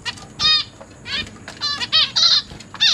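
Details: Zebra finch chicks in a large cage being fed by their parents, newly hatched and juvenile young together; short buzzy harmonic calls in scattered bursts with gaps between them.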